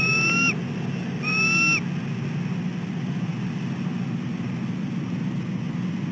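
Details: Female bald eagle at dawn, 6:34 am on 4 December 2013, calling from near the nest for a shift change in egg sitting: two thin, clear, rising whistled notes about a second apart over a steady low rumble.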